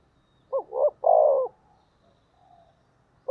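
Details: Spotted dove used as a decoy, calling in the thổ voice to lure wild doves: one phrase of two quick hooked notes and a long rough coo, then a soft distant coo answering.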